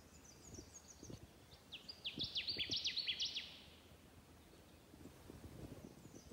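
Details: Male Connecticut Warbler singing on territory in a spruce-tamarack bog in Minnesota as a thunderstorm comes in from the west: one loud, resonant chanting burst of rapid repeated high notes lasting about two seconds, over quiet rustling and faint low knocks.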